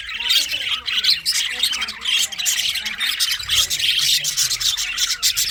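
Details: Parakeets chatter nonstop in scratchy, high-pitched chirps and squawks, with soft low tonal murmurs running underneath.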